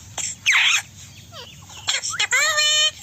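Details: Talking rose-ringed parakeet, an Indian ringneck said to be male, with squeaky, high pitched speech-like syllables, then a sustained, harmonic-rich squeal near the end, with soft background music.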